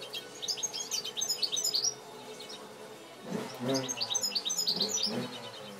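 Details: Aviary-bred European goldfinch, hatched last year, gives bursts of high twittering song, broken by a pause and low rustling or handling noise midway before the chirping resumes.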